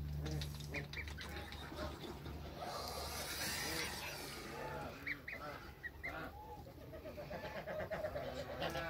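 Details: Toulouse goose mother in a backyard with goslings, some hybrid African and Toulouse, on their first day of life; scattered short nasal honks and softer calls among steady background hiss and low hum.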